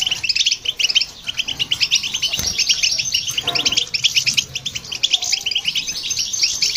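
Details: European goldfinch and a hybrid in song, meant to stir other birds into singing: rapid, unbroken chatter of sharp high tweets and liquid trills, with a brief faint knock midway.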